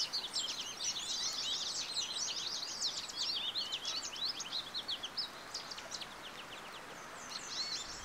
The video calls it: The song of the American Goldfinch